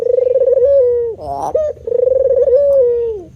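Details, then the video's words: Spotted dove giving two low, purring coo phrases, each a rolling, pulsed note that steadies into a long hum and drops at the end, separated by a short, rougher, wavering note. "Bunyi Tekukur Jawa"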